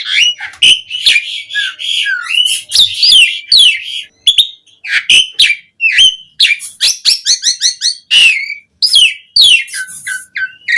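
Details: Asian pied starling in continuous varied song, used as a lure to make starlings sing: dense harsh chatter mixed with loud slurred whistles and rasping notes, barely pausing.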